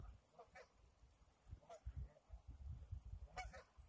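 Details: Recorded February 20, 2018 on the Similkameen River, geese give a run of brief nasal honks, about five calls in four seconds, above a constant low roar of moving water.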